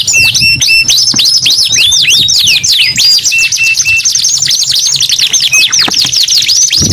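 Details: Canary singing nonstop: dense chains of high whistled slurs sweeping down and up, with brief flat piping notes repeated in short runs among the trills, and a faint low hum beneath.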